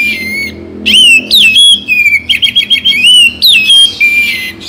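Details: Oriental magpie-robin (kacer) in full song, a recording used morning and evening to rouse caged songbirds: rich, loud whistled phrases with sweeping slurs, rapid trills and short chips strung almost continuously over a low background hum.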